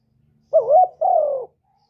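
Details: Singing spotted dove, a persistent 'kuk 1' songster kept as a lure for doves: one two-note coo. A low note with a dip and rise is followed by a drawn-out, gently descending mellow note, with near silence around it.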